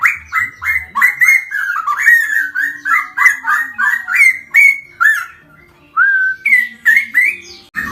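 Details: Cucak rowo, straw-headed bulbul, singing the fast ropel style against a samyong: a steady stream of clear bubbling whistles, level and slightly falling, with a brief pause and a final rising flourish.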